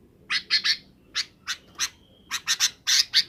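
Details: Afternoon roost-gathering calls of a sooty-headed bulbul: clusters of harsh, grating chirps, roughly twelve in all, separated by brief pauses, with a faint thin whistle in the middle.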